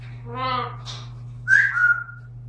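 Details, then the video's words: Female eclectus parrot, described as talkative, kept indoors: a short harmonic word-like utterance, a brief breathy burst, then a clear whistled note that drops slightly and holds, over a steady low hum. "Gorgeous female eclectus bird Talkative"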